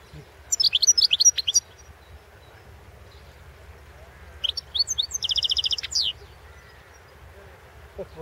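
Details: European goldfinch singing in a 2016 world championship song competition recording; two bursts of bright, rapid twittering with tinkling, metallic notes, the first around one second, the second a longer trill near five seconds, separated by quiet background hiss.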